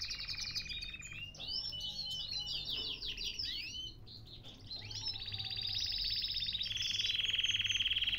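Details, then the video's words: Canary kept in a cage in Baghdad, Iraq, delivering bright sweeping chirps in quick series, a brief quieter pause, then a sustained, steadily pulsing high trill that grows louder toward the end. "تغريد كناري"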